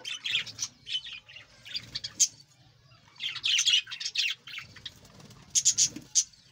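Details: Budgerigars of a breeding colony, lively bursts of squeaky warbling and sharp repeated chirps from several birds, coming in clusters with brief pauses between.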